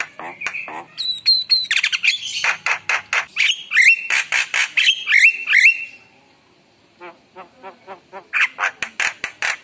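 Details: Lively Javan myna song: quick harsh notes and high whistles run together for six seconds, a short lull with soft clicking, then another burst of rapid chatter.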